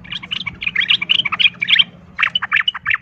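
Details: Rapid 'ropel tarung' fighting chatter from a sooty-headed bulbul, meant to stir rival bulbuls into fighting; dense burbling notes pour out, pause briefly, then resume over a faint steady low hum.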